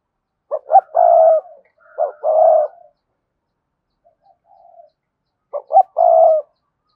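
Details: Spotted dove (cườm sa type) cooing to urge doves into cooing: low three-part phrases, two quick hoots and a drawn-out coo, repeated three times, with faint soft notes between.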